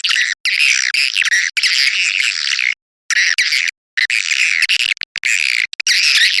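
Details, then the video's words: Edible-nest swiftlet lure call for attracting swiftlets: almost continuous shrill, rasping twitter chatter in long runs, broken by two short silences and a few stuttering clipped chirps. "Suara Panggil Burung Walet"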